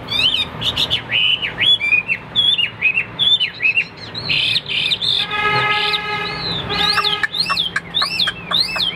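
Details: Caged Hwamei in a fighting display, delivering strong looping whistled phrases, a held ringing tone midway, then rapid emphatic slurred notes.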